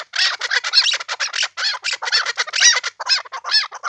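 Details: Chukar partridge from the Pamir giving dense, harsh cackling notes in rapid overlapping bursts, more than two per second, with a bright raspy upper tone and no other sounds.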